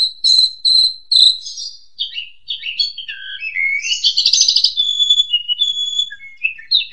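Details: Asian pied starling master song for training young birds: clear whistled notes near the top, then a varied run of slurred, buzzy and falling phrases, with a trilled burst midway and long level whistles after.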